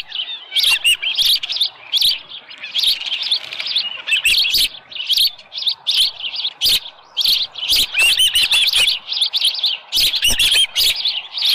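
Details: Osprey nest scene on a July morning in 2018 at 6:52, with a headless fish; continuous excited high-pitched chirping, short whistled notes in quick clusters, some slurred and upslurred, calling persisting throughout without pause.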